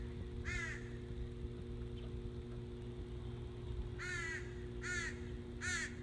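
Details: Noisy crows calling in Northern Michigan on 14 July 2017, one hoarse caw followed by a long gap, then a run of three rough caws nearly a second apart, low droning hum beneath.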